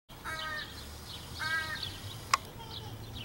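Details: Young crows cawing nonstop on June 23, 2015, in a kazoo-like way: two nasal, buzzy drawn-out caws about a second apart, a sharp click between, faint chirps of other birds behind.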